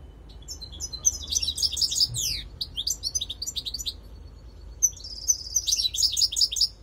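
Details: Goldfinch lure recording: two bursts of rapid, tinkling twitters and sliding notes, the second holding a sustained buzzy trill, over a steady low hum.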